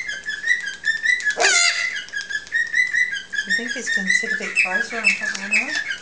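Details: Two 3-month-old Eclectus parrots being hand-fed at their nightly feed give thin, high, squeaky whistles repeated steadily, with a harsh burst of squawking and then lower, wavering squeals. Soft human voices murmur behind.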